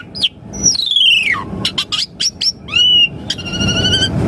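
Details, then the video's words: Asian pied starling singing, played so caged birds answer: a long descending whistle, a run of short sharp chips, a rising slur and a sustained harmonic note, fairly loud. "Pancingan Jalak Suren Auto RESPON Langsung NYAUT - Masteran Suara Burung Jalak Agar Gacor Full Isian"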